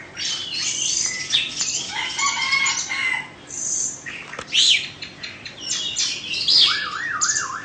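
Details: Caged Oriental magpie-robin of Indonesian stock, a two-season bird described as fault-free, singing rich varied phrases: clear whistles, sweeping slurs and a wavering trill near the end, set apart by short pauses.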